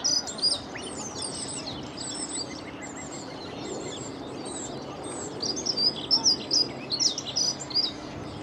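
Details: Close-up Dunnock song by the Long Water: two bursts of rapid, high-pitched, scratchy warbling, the first opening the recording and the second after a pause of several seconds, with soft low background noise between.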